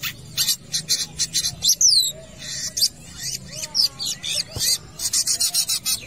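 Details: Long-tailed shrike in lively song at a football field, a dense stream of scratchy, chattering notes broken by a few bright falling whistles and softer low warbles.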